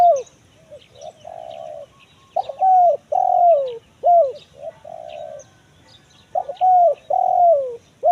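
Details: Spotted dove coos in the 'kuk 1 mersik' pattern, used as a forest lure: repeated phrases of stuttered notes, flat sustained coos and arched falling notes follow one another with only short gaps.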